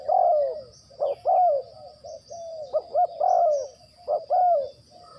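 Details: Spotted dove used as a trapping decoy, repeating mellow low coos: a long falling note, then paired short stutters and another sliding coo, phrases about a second apart, against a steady high-pitched insect drone.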